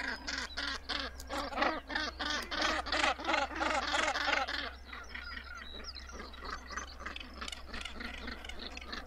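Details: A rhythmic run of rough, nasal croaks comes about three per second from Northern gannets nesting on the Helgoland cliffs. The calls fade midway into softer, more distant colony chatter with a low hum beneath.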